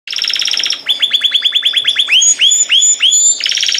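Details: Canary singing: a fast buzzy trill, then a run of rapid rising whistled notes, slowing into longer upswept whistles, ending in another buzzy trill. A faint steady low hum sits underneath.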